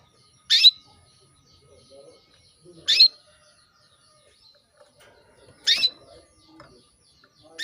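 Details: Female canary calling to a male to bring him into breeding condition: short sharp bright chirps, each a quick downward-sweeping note, repeated about every two to three seconds in a quiet setting.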